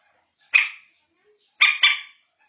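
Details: Common moorhen, in a lure recording for finding the birds after dark: one single hoarse, barking note, then a harsh double note about a second later; nothing else is heard.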